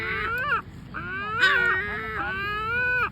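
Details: Great black-backed gulls calling in a complaining way: three long, moaning, nasal wails, each bending up and then down in pitch, with barely any gap between them.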